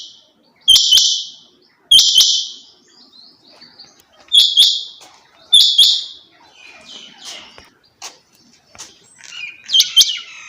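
A female rain quail gives short, high, buzzy call bursts in irregular pairs every few seconds, with sharp clicks and faint softer chirps between.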